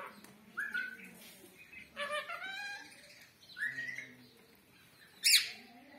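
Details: Pet parrot offering a namaste greeting, uttering a quick whistled note, then a cluster of chattering squeaky syllables, another rising whistle and a final sharp shrill squawk, indoors.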